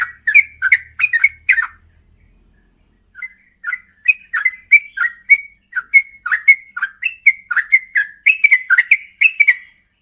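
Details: Female yellow-vented bulbul calling the male at night: bubbly, gurgling phrases of short warbled notes near the middle of its range, a run of notes, a pause of about a second, then steady repeated notes roughly every third of a second.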